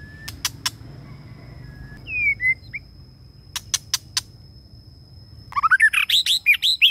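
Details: Lure-bird male white-rumped shama: scattered sharp clicks and a lone falling whistle give way to a rich burst of rapid, tumbling melodic phrases at the end, over a constant faint high-pitched tone.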